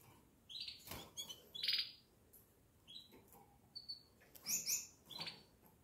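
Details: Pet canary singing, at first mistaken by its owner for a blackbird: scattered short high chirps and brief buzzy trilled notes with pauses between them, over steady background hiss and some clicking noises.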